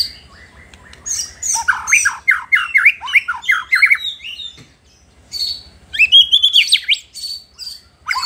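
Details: White-rumped shama in full song meant to provoke rival shamas, a rapid run of rich slurred whistles and chattering notes, a short pause, then more bright, varied phrases.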